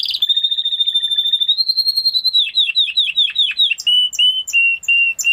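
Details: Spanish Timbrado canary holding a steady rapid trill that rises slightly, then a rhythmic series of downslurred notes, ending in sustained flat whistled tones with short breaks.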